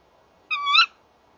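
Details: Tawny owl pair calling together at a nest box on 30 January 2014 at 19:31 in the evening; a single sharp, nasal, harmonic kewick lasting about half a second, slightly rising then falling, over a quiet background.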